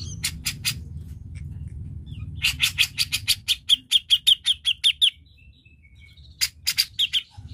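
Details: Grey-cheeked bulbul (cucak jenggot), played to stir a lazy bird into singing: three sharp notes, a pause, then a long rapid string of harsh chattering notes, a brief lull with soft chirps, and another short burst.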